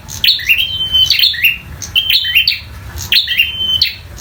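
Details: Bar-winged prinia of the local type in fighting song; quick high sharp notes tumbling into a level piercing whistle, repeated about every second, with low rumbling noise beneath.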